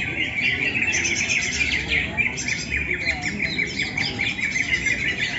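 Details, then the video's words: Green leafbird singing at a songbird competition: a dense, continuous stream of bright chirps, trills and quick warbled phrases, fluid and unbroken, with overlapping birds and background crowd murmur. "lomba cucak ijo"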